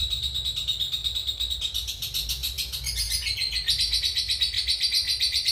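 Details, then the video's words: Lovebird with long continuous chatter, called ngekek panjang, used as a training model for other birds; fast pulsed trilling about four notes per second, the pitch stepping upward midway into a higher sustained rattling series. "Love Bird Cobal Mangsi Ngekek Panjang Cocok Untuk Masteran"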